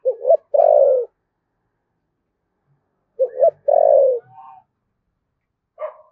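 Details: Spotted dove from Đồng Nai, Vietnam, in the 'thổ sấm' voice and 'thúc gù' cooing style: two short coos, then a long falling coo. The three-note phrase comes twice, about three seconds apart, and a third phrase begins at the end.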